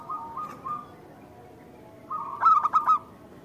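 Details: Zebra dove of local stock singing to a lure: a soft sustained tone, then a single short burst of about five rapid, rolling cooing notes near the end.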